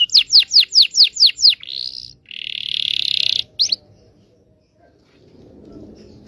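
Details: Local Indonesian canary singing to coax silent or young canaries into song: seven quick falling whistles, a short buzzy phrase, then a longer rattling trill and one final note before near silence.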